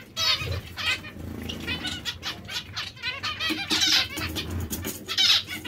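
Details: Breeding pairs of zebra finches produce quick nasal beeps and buzzy phrases in an irregular, overlapping stream, with two louder bursts toward the end.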